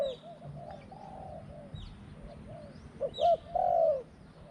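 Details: A spotted dove used as a decoy for luring wild doves gives soft, low, hollow coos in a short run, ending with two louder, drawn-out notes, with faint higher chirps from other birds behind.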